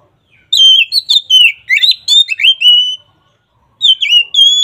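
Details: Bright ngeplong song of an oriental magpie-robin, used as a lure for a magpie-robin that sings little. A lively string of loud whistles rising and dropping, a pause near one second, then a fresh phrase begins.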